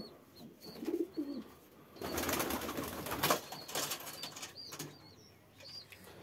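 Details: A Frillback pigeon gives two soft, low coos, then a burst of wing flapping; thin high chirps from other birds sound in the background.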